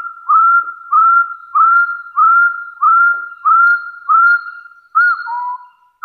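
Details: Rival-challenging call of a hill partridge: a quick string of upslurred, sustained whistles about every 0.6 seconds, closing with a sharper note followed by a lower, flat whistle.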